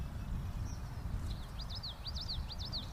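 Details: Common yellowthroat song heard as a string of five or six quick, high, down-slurred notes repeated evenly, faint against a constant loud low rumble.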